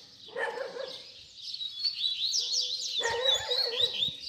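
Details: Baderna song of a double-collared seedeater, played to teach young birds: continuous high twittering and trills with two bursts of lower, rough sounds.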